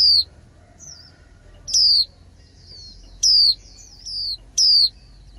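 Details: Female white-eye singing as spring ends. Sharp, high, falling whistles sound every one to one and a half seconds, with softer lower slurs in between, over a faint low hum.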